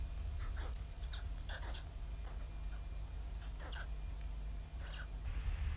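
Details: Begging of hungry White stork chicks in Ustroń, 15–16 May 2019, waiting for their absent mother in foul weather: clusters of short nasal mewing calls, several in quick succession, then pauses, over a heavy low drone.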